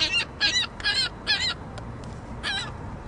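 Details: Loud juvenile ring-billed gull squawking over and over: a fast burst of four harsh, buzzy calls, a pause, then a single closing squawk, over low background hum.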